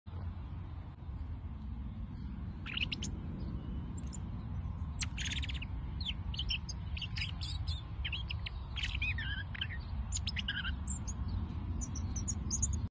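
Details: Robin singing. Short, high chirps and quick warbled phrases come in scattered bursts, with pauses between them, over a steady low rumble of background noise.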